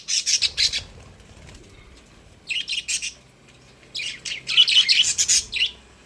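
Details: Caged budgerigars, described as happy, chatter in three bursts of sharp, high twittering notes, with the last burst the loudest and busiest.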